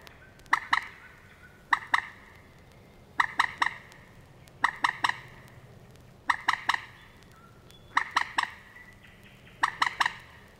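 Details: Moorhen calling from Matsalu reed beds, USSR, on a 1979 field recording: clipped, hard ticking notes in tight triplets, a burst roughly every one and a half seconds, steady and insistent against soft hiss.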